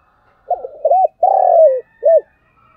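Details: Spotted dove decoy bird calling to lure wild doves. Gives one full phrase of mellow, low coos: a short wavering opening, two quick hooked notes, a long drawn-out purring coo that slides down, then a final clipped note. The background is quiet.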